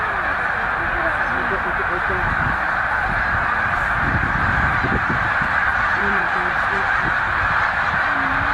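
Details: Snow geese, a flock of about 100,000 at Middle Creek wildlife refuge on their northward migration stopover, making a dense, continuous roar of overlapping nasal honks. A few lower, separate calls stand out in the steady wall of sound.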